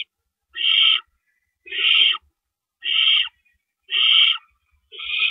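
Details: Owls at a nest at 4:31 AM, April 4, 2012, as rabbits are carried in and out. Five drawn-out, rasping hiss-screeches repeat roughly every second, each about half a second long, with quiet gaps between.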